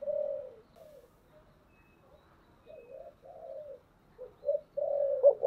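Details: Thổ-voiced spotted dove making soft, low, muffled coos in scattered short bursts with long gaps, growing louder and more continuous toward the end.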